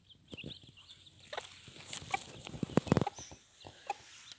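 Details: Mother hen protecting her chicks: irregular short, low clucks, with a loud cluster of sharp pulses near the three-second mark and softer high chirping in the background.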